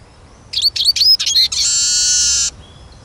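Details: Eurasian siskin song: rapid twittering flourishes of high sliding notes leading into a long, drawn-out wheezy buzz lasting about a second.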